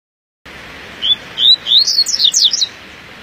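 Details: Double-collared seedeater singing on a morning outing: a bright phrase opening with short whistled notes, then quickening into sharp rising and falling high slurs, lasting about two seconds over steady background hiss.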